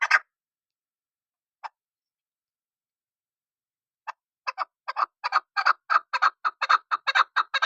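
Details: Chukar partridge, known as chakor or desi chakor: a few isolated clucks separated by silence, then a quickening series of harsh chuk notes building toward the end.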